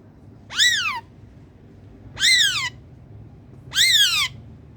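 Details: Loud, harsh, arching screeches from a pet ring-necked parakeet, three calls repeated roughly every one and a half seconds.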